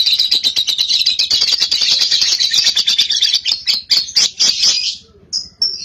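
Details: Young cobalt lovebird in long ngekek, a pacing song to encourage other lovebirds to sing: extended rapid shrill chattering trill held about five seconds, then brief high squeaks.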